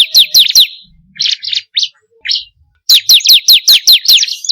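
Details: Bar-winged prinia (ciblek kristal) song used as a lure to make birds sing: rapid series of sharp, high, downward-slurred chirps repeated about two and a half per second, with a short burst of buzzy notes in the pause between.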